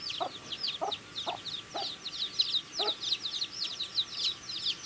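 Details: A flock of baby chickens peeping busily at their food; bright high chirps pour out nonstop while a few sharp pecking taps sound at irregular intervals.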